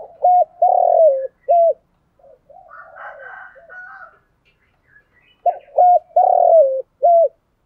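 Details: Spotted dove kept as a decoy to draw in wild doves, giving two low cooing phrases, each of short hollow notes around a longer falling coo, separated by a softer stretch of faint chirps.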